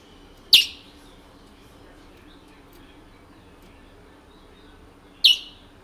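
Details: Two isolated, bright downward chips roughly four and a half seconds apart from a long-kept caged Picolette in French Guiana, over low steady background hum.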